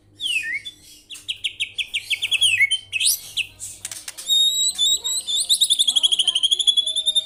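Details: White-rumped shama singing in full voice: varied rapid phrases of sweet whistles and sharp chips, ending in a long fast series of repeated rising-falling whistled notes; faint low hum beneath.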